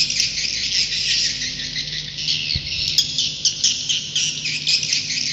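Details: Many swiftlets chitter together in a roosting call, a busy high-pitched buzz broken by sharper clicks and chirps in the second half, with a constant low hum and a single low knock.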